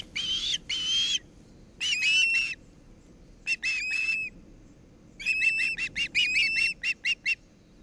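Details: Ospreys at the nest in Charlo, Montana, on 10 August 2018, calling in bursts of high, piercing whistled notes, some drawn-out and others in rapid repeated series, with short silent gaps between bursts.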